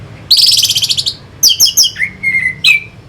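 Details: Lure song of an orange-headed thrush from Singaraja, North Bali, meant to rouse fighter birds: a long buzzy rattling trill, sharp clipped notes, then a level whistle ending in a quick rising note.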